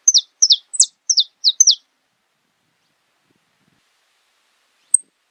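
Saffron finch giving a quick run of six sharp, descending chip notes in under two seconds, then silence and one last high note.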